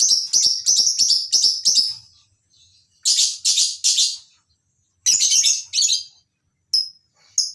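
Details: Morning in a lovebird breeding farm's mini colony aviary housing masked and Fischer's lovebirds; sharp, shrill chirps repeat rapidly in quick runs of five or six, then pause before further clusters of piercing notes.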